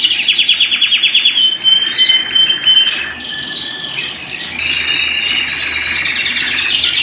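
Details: Canary song indoors beginning with quick pulsed notes and a clear whistled tone, followed by chirped rising notes and a long warbling roll.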